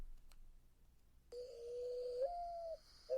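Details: Mourning dove cooing, a call some people hear as sad and mournful: one long, low, hollow coo that steps up in pitch midway, then a new coo begins, over a faint steady high tone.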